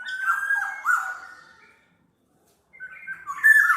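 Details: Black-naped oriole song used as a lure and tutor track: a rich warbling whistled phrase, then about a second of silence before another bright, rising-and-falling whistle begins.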